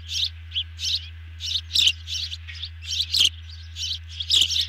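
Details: Ospreys at a nest camera during a large evening meal, 18 June 2020. Rapid, irregular high chirps, about forty a minute, some louder and sharper, over a constant low hum.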